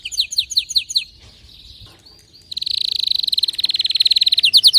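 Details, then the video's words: Excited canary song with a burst of sharp descending notes, a brief soft interlude, then a long rapid rolling trill ending in quick downward-sweeping notes. "غناء كناري هايج ومولللعCanario -canary"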